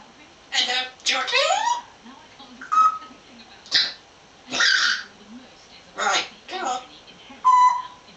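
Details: African grey parrot kept as a pet, chatting with its owner indoors in 2009. Short bursts of speech-like, raspy mimicked words are broken by pauses, with a couple of clear level whistled notes in between.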